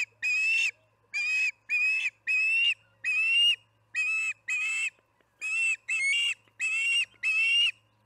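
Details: Evening feeding at the Charlo osprey nest, July 9, 2019, around 6pm: an osprey gives a steady series of short, shrill, whistled yelps, about ten bursts in eight seconds, each slightly rising then falling.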